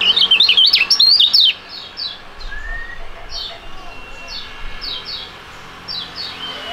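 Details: Young duetting songbird of fighting type opens with a loud, rapid, zigzagging whistled phrase lasting over a second, then fainter short rising chirps from other birds continue in the background.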